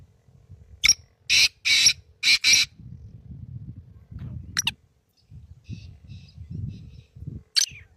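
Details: Black francolin giving a phrase of about five loud, harsh, rasping notes in quick uneven succession, followed by quieter faint notes, over low rumbling background noise.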